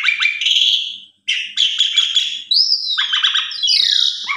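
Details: Asian pied starling song used as a lure to get other starlings singing: full, varied phrases mixing harsh rasping notes with clear whistles, a short gap near one second, then a rising whistle and descending chattering notes.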